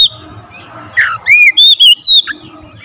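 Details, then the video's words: Oriental magpie-robin singing vigorously in tight bursts with full variation of fill-in phrases: a low rising slur, then a run of loud clear whistled notes with quick upward and downward sweeps, over faint low background hum. "Kacer gacor nembak rapat full variasi isian"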